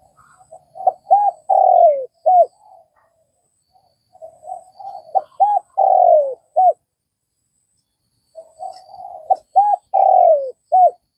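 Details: Spotted dove from Vietnam cooing: three phrases, each beginning with soft low murmurs, then two or three short arched notes and a long, loud descending coo, ending in a short clipped note, with quiet pauses between.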